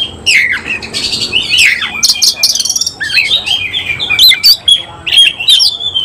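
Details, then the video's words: Semi-Cililin oriental magpie-robin in full display with spread tail, pouring out rich whistles, buzzy rasping phrases and rapid trills, fast varied song sustained over six seconds. "Kacer langsung NEMBAK NGOBRA BUKA EKOR"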